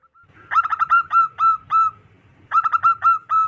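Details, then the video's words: Local wild zebra dove with a loud, carrying voice, used for luring wild doves; two phrases, each a quick stutter of notes slowing into three or four longer, evenly spaced coos. "PERKUTUT LOKAL ALAM GACOR SUARA BESAR DAN LANTANG COCOK BUAT PIKAT BURUNG PERKUTUT"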